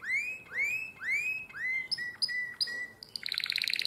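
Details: Canary singing in the nightingale-voiced style, Drama, Greece, 2017: a series of upward-curving whistles about every half second, followed by short clipped notes and a fast high buzzy trill.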